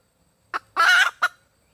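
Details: Red junglefowl hen calling for a mate: a single cluck, then a long rough squawk, closed by another short cluck in an otherwise quiet recording.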